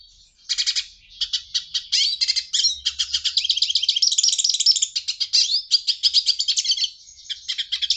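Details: A Hooded siskin opens with separate sharp chirps, then breaks into a dense, excited warble of high twittering notes and buzzy trills, ending with a few spaced chirps.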